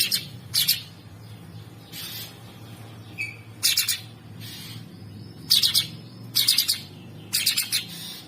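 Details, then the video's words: Sooty-headed bulbul in a masteran recording used to tutor champion songbirds, with rough, energetic fill: harsh, buzzy broadband chirps in short bursts about every second, separated by quieter gaps with a low background hum. "Masteran Mewah Cucak Sungkok Buat Burung Jawara isian Kasar Ngebren Abis"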